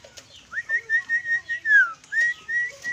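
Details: Caged sooty-headed bulbul (kutilang) singing: a series of clear whistled notes, a rising slur then level pulses and a long falling whistle, about two notes per second, quiet background.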